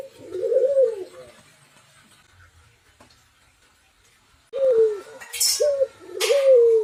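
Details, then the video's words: Spotted dove cooing: one low, slightly rising coo, then a quiet pause. A burst of shorter low coos follows, broken by two brief hissy noises. "Burung Berderuk Tikukur Gacor Berkicau Dua Suara Aneh"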